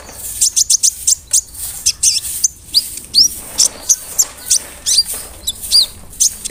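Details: Lure song of a vigorous, big-bodied brown-throated sunbird meant to provoke rivals: thin, high-pitched chips and quick upslurred notes, spaced irregularly about every half second.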